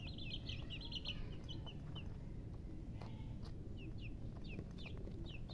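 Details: Baby chicks chirping, a dense run of sharp descending peeps at first, then sparser single and paired peeps, all above a continuous low rumble.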